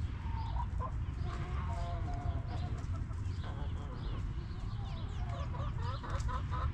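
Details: Backyard coop hens clucking in busy bursts, quick repeated short notes clustering toward the start and end, over a deep steady background drone.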